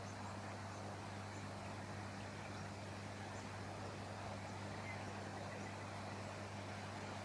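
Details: Quiet, steady low hum with a faint background hiss, like a distant motor, and no animal voice.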